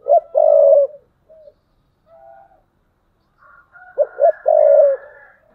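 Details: Decoy spotted dove giving thúc bổi coos, recorded 2022: a strong low coo with a lower tail note, a soft pause, then a rapid run of two short coos into a long full coo, with faint higher tones above.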